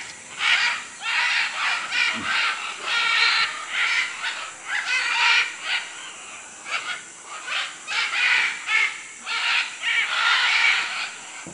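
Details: Several macaws in Manu, Peru, calling in a near-continuous run of rough, grating squawks that overlap and vary in length, over a constant high-pitched insect drone.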